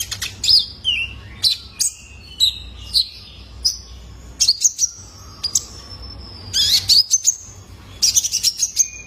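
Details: Young male purple-throated sunbird calling, used to encourage caged birds to sing: high slurred chirps dropping in pitch, repeated in a loose series, ending in fast twittering bursts.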